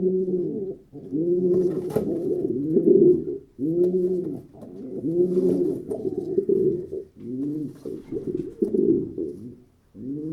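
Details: Repeated pigeon coos, each a rolling, arched hoot roughly a second long, several birds overlapping in steady succession.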